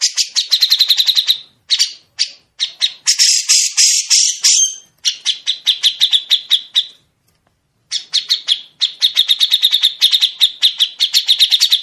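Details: Grey-cheeked bulbul delivering long, sharp, clear rasping phrases for other songbirds to learn. The song is nearly continuous, made of fast stuttering trills and a dense scratchy rasp. It breaks briefly twice before the rapid trilling resumes.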